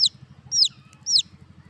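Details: Young chicks peeping: three shrill, high notes that slide downward, roughly half a second apart, with a faint softer chirp between them and a constant low rhythmic hum underneath.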